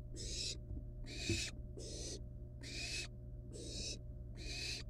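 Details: Young wild barn owls in the nest, handling a live rat before killing and eating it; six long, rasping hiss bursts about one second apart, noisy and broadband, with a constant low electrical hum beneath.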